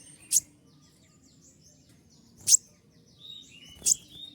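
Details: Kolibri ninja sunbird giving its 'tembakan' shots: three separate, very sharp, high explosive chips roughly a second or more apart, with soft thin whistles between them and a low background hum.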